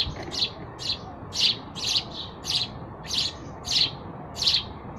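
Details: Sparrow chirping loudly, a regular string of bright high chirps roughly every half second, some doubled, with light low-pitched background noise.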